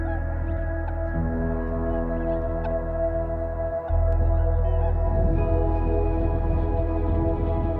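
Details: Slow, droning ambient music with sustained organ-like tones plays throughout, and no animal voices are heard.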